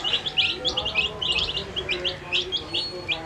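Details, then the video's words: Colourful dyed baby chickens eating food, giving a continuous stream of high, short peeps and chirps from several chicks, overlapping and lively, over a soft background hum. "Funny Sound When Baby Chicks Eat Food"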